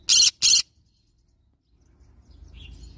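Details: Two rapid, grating screeches open the recording of a yellow-sided green-cheeked conure parrot. Quiet follows, then a low background rumble rises toward the end.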